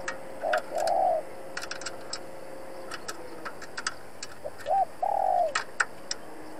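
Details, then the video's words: Trapping decoy spotted dove calling to challenge rivals: two soft coo phrases, each a short note then a longer hollow coo, among frequent sharp clicks and a steady background hiss. "Cu Gáy Mồi Cây thúc gù đấu bổi cực sung\ Cu gáy kích bổi nhanh nổi"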